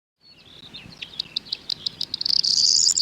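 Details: Corn bunting singing near wheat and barley fields in West Sussex farmland: a few high ticking notes quickening into a dry, jangling rattle that rises to a shimmering buzzy finish, like shaken keys.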